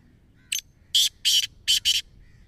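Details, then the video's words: Black francolin from Punjab calling: a series of five short, harsh, grating bursts, the later ones grouped in close pairs, over a quiet background. "kala teetar ki awaz"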